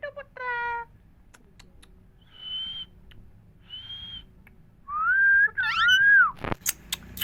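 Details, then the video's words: Indian parrots talking, repeating 'Mithu Miya Mithu': a brief harmonic squawk, then two level high whistles, then a long wavering whistle joined by rising overtone-rich notes and sharp clicks at the end. "Indian parrots talking Mithu Miya Mithu parrots sounds"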